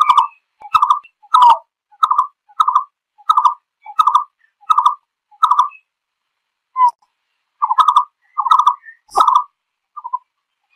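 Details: A green-billed malkoha calling to its flock gives a steady series of short, hollow, mid-pitched clucks, often doubled, about one or two a second, with a pause midway.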